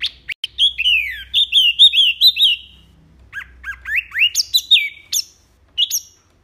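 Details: Wambi (mini) singing a varied, loud and clear repertoire used to tutor other songbirds. It starts with a string of descending slurred chirps and, after a short pause, gives sharper upswept whistles and scattered high notes.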